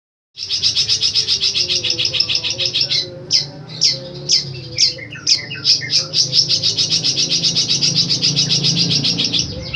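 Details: Long-tailed shrike (cendet) singing a powerful, repeated song: dense rapid high chattering notes, then sharp descending whistled phrases around the middle, back into fast buzzy chatter, with a low hum underneath.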